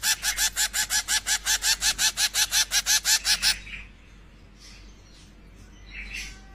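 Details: Zebra finch chicks being hand-fed give rapid, rhythmic buzzy begging calls, roughly three per second, then fall quiet.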